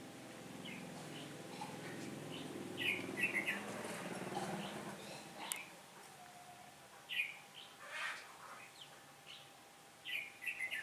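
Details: Trapping session with a red-whiskered bulbul decoy on 15 October 2017, a day of changing wind; rumbling noise and handling sounds fill the first half, then short warbled chirpy phrases repeat in separate bursts.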